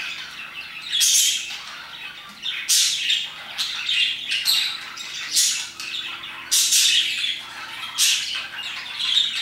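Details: Parakeets chirp and sing around 2 PM in bright, raspy bursts roughly every one to two seconds, with soft chatter filling the gaps; a faint indoor hum sits underneath.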